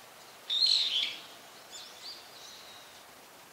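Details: Brown-eared bulbul calling repeatedly: a sharp, loud screech with a whistled start, followed by softer, fainter squeaky notes and a thin drawn-out whistle, then the next call beginning.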